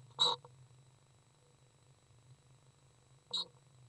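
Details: Common swift (Apus apus) parents of three fledged young entering a nest box around ten in the evening on 19 July 2011 give two brief, harsh, high-pitched screams about three seconds apart, over a steady low electrical hum.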